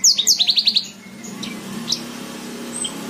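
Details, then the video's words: Tutoring song of a Horsfield's bushlark for cage birds: a quick run of about eight clipped, repeated notes descending slightly, then scattered thin high whistles over steady low hum. "MASTERAN BRANJANGAN SATU JAM FULL. COCOK BUAT PEMASTERAN BURUNG BAHAN"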